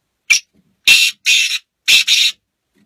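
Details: Black francolin calling: one short harsh note, then two grating, buzzy notes together, a pause, and another paired burst of rasping notes, the phrases clean against a silent background.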